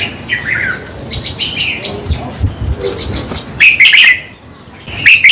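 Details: Red-whiskered bulbul singing, a recording meant to excite caged birds. Soft, slurred whistles and rapid ticking notes build up to two loud, bubbly warbled bursts near the end.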